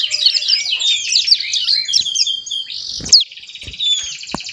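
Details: Juvenile Javan sun-blue robin, a little over a month old, twittering as it learns its song; a rapid jumble of high chirps, then a few knocks and scraping sounds and softer buzzy notes.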